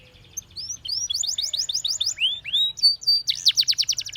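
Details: Spanish Timbrado canary singing for canary training: rising whistled notes in quick succession, a couple of arched slurs, then a rapid bright trill of repeated notes, high and clear.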